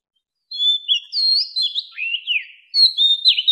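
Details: Mature wild Oriental magpie-robin singing to lure wild birds: a run of clear whistled notes with quick rising and falling slurs, a short pause, then a bright sweeping phrase, with no other sounds.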